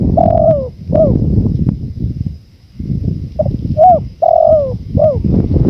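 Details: Spotted dove calling amid gusty wind: a long falling coo and a short hooked note, a pause, then a clipped double note, a curved coo, a sustained drawn-out coo and a final bent note.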